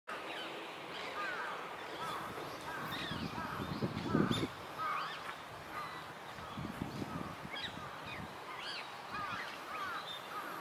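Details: A large flock of rose-ringed parakeets, recorded 11 December 2020 in the Tokyo (Setagaya–Suginami) area and moving en masse, gives a constant overlapping chorus of harsh, screechy calls, with a brief low background rumble.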